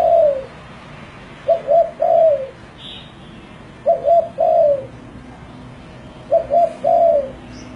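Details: Spotted dove song, known locally as tekukur: low cooing phrases near 600, each a short double coo followed by a longer falling coo, repeated roughly every two and a half seconds, with faint higher chirps from other birds behind.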